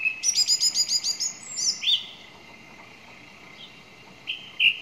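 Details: Song thrush song: a fast run of about ten high, sharp repeated notes, then a few varied lower whistles and a final pair of whistled notes after a pause.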